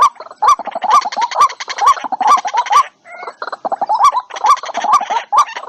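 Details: Dense waterhen chorus for luring birds into traps: fast overlapping croaks and clucks, strong rising notes about twice a second, a short lull near the middle before the rhythm resumes.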